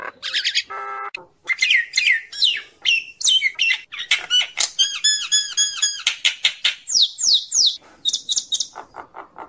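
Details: Common myna calling its flock with busy, mixed chatter. Squawks, rasps, clicks and rapid whistled trills run almost without pause for nine seconds, some notes bending up and down.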